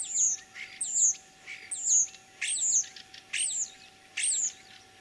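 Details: Common starling singing in spring, Kalyazin district, Tver region, Russia, 9 April 2023: five loud phrases, each a piercing high whistle dropping in pitch followed by a rasping burst, repeated about every second.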